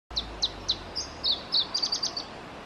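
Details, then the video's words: Singing male Iberian Chiffchaff in Testelt, Belgium, on 7 May 2017: three spaced, high downslurred notes, then a quicker cluster of chirps ending in a rapid fluttering series, faint against steady low background noise. "Singing male Iberian Chiffchaff - Phylloscopus ibericus"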